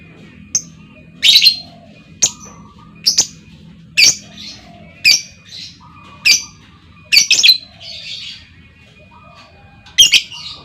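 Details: A calling female lovebird and answering lovebirds: a quick, irregular run of short, sharp squeaky chirps and harsh shrieks, about one per second, with faint lower whistles and a steady background tone.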